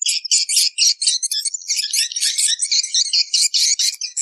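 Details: Many swiftlets calling, for swiftlet farmers: tightly packed, piercing high chirps forming a restless, continuous twittering without a break.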